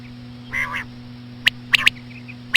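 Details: Common quail, female calls used to draw in quail: a short nasal buzzy note, then sharp single and paired clicky notes, over a constant low hum.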